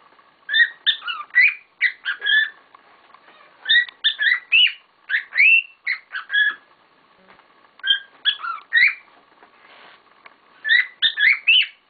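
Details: Pet cockatiels calling busily in irregular bursts of rough, rising chirps and short whistles, roughly seventy notes a minute, with brief gaps between flurries.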